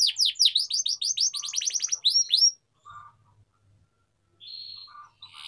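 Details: Atlantic canary (kenari) singing to teach young canaries: a burst of rapid, sharply falling chirps accelerating over two seconds, then near silence broken by a few faint short notes.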